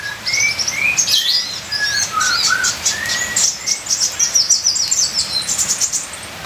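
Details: Ninja sunbird singing a varied full-fill song over rain: short upslurred whistles, then a dense burst of very high rapid trilled notes, with rain hiss in the background.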